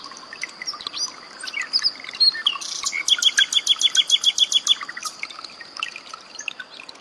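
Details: Common nightingale 'tembakan' song phrases over trickling water, compiled for training cage birds. Varied chirps give way to a fast series of a dozen crisp repeated notes, then scattered softer calls.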